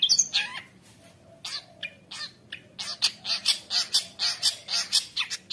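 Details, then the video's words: Long-tailed shrike (cendet) singing nonstop to serve as a lure and master song for young shrikes: a loud harsh squawk opens, then sparse notes, then a steady series of rasping, churring bursts about twice a second. "CENDET GACOR KONSLET | cocok untuk masteran trotol cendet | shrike bird"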